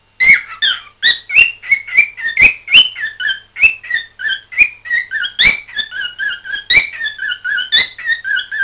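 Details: Chattering pet cockatiel, 20 December 2007: steady unbroken stream of short whistled and squeaky notes, many bending up or down, punctuated by occasional louder clicks, roughly three to four notes per second.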